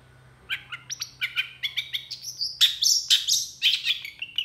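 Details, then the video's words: Long-tailed shrike quickly worked up by another shrike, singing a mimicry-packed song: steady, rhythmic chirps about two per second, climbing into louder, brighter buzzy whistles in the second half. "PENTET GACOR EMOSI CEPAT DI RESPON CENDET LAIN, MASTERAN CENDET FULL ISIAN"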